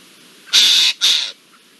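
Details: Eurasian jay giving an alarm at the presence of an Iberian lynx, alongside a blackbird, on 17 April 2024: two harsh, rasping screeches in quick succession, each under half a second, against a quiet background.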